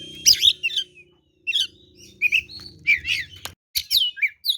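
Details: Aggressive lure song of an oriental magpie-robin, mixing harsh scratchy bursts with clear descending whistles, accompanied by a low humming drone and a sharp click midway.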